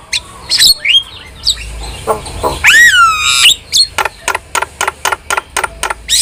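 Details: Starling song used as a prompting recording for pet starlings. After a few scattered whistles it gives a long rising and falling wavering note, then a quick steady series of sharp clicking chips, almost four per second.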